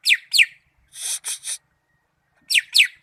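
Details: From Malinau, a greater green leafbird (cucak ijo) alternates paired steeply falling whistled notes with three harsh, broad, rasping buzzes, then returns to the paired descending whistles.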